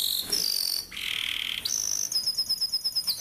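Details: Canary song for training young birds: a high thin whistle, a buzzy mid-pitched trill, a steady high whistled tone, then a rapid run of clipped chirps.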